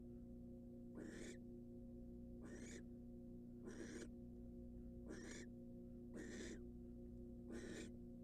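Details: Harsh, airy hissing from a wild barn owl sitting on eggs in a nest box, six bursts over eight seconds, steady electrical hum beneath.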